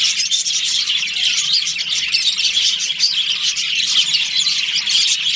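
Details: Captive budgies in a breeding-season colony chirp nonstop, a thick layer of overlapping bright twitters and squeaky notes from numerous birds, steady in loudness throughout.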